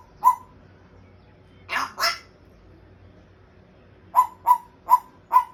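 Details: Captive African grey parrot making sounds while trying to speak: a single short note, then two rougher, breathy bursts close together, followed by a run of four crisp, evenly spaced mid-pitched notes; the surroundings are otherwise quiet.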